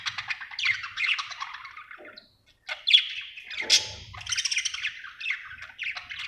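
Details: Budgerigar in a happy mood, giving scratchy warbled chirps and short squeaks with a quiet gap in the middle, then a loud rising squawk and more busy chatter.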